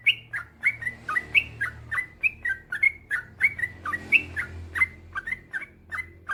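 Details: Male yellow-vented bulbul in full song, a long rapid run of short bubbly notes that dip and rise, about four per second, with a faint low hum beneath.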